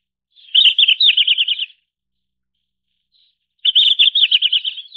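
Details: Red-flanked bluetail (Tarsiger cyanurus) call: two high, quick, slightly trilled phrases about a second long, roughly three seconds apart, with silence between them.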